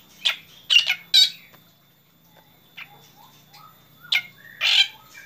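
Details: Black drongo in the morning giving a few loud harsh, buzzy bursts, then a pause with soft whistled notes, followed by two more rasping calls, a faint low hum underneath throughout.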